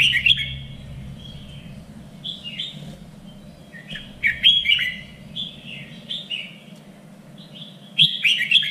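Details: Red-whiskered bulbul song for training contest birds, in a standard voice: cheerful slurred whistled phrases, falling and rising, given rapidly with bursts of brighter chirps, over a low steady rumble.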